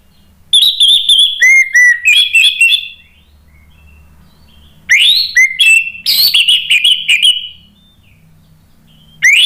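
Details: Orange-headed thrush in full song, used as a lure so other birds answer. Two long bouts of rich, rapid whistled and warbled phrases include sliding notes and repeated motifs, separated by a two-second silence, with a third bout starting at the end.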